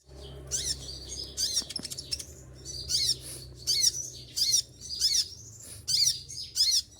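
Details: Caged olive-backed sunbird in moult, feathers falling out, still singing hard: sharp, shrill buzzy bursts of high notes, about eight in seven seconds, coming more closely together in the second half, over a faint low hum.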